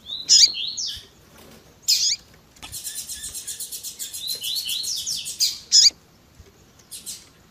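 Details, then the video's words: Double-collared seedeater singing the tui tui zel zel style with female chirps: sharp chirps and slurred whistles lead into a long, fast, buzzy rattling trill of evenly repeated notes, ending with more bright chirps. "COLEIRO TUI TUI ZEL ZEL COM PIADO E CHAMANDO DE FÊMEA MUITO QUENTE CHAMANDO E MACHEANDO MUITO."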